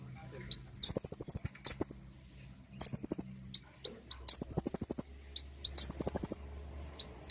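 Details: Common iora song used as a lure to stimulate singing: rapid high trills that start with a quick downward sweep come in repeated phrases, with brief chips between them and a faint low hum underneath.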